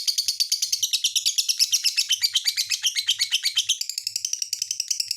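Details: Lovebird giving a busy, high-pitched twittering song, with rapid scratchy chirps that vary in pace and pitch, changing to a thinner, more even chatter near the end.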